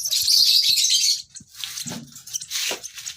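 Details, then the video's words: Baby lovebird chirping: a dense burst of high, scratchy chirps for about a second, then softer, scattered chirps and faint rustling. "lovebird sounds baby bird - lovebird chirping sounds"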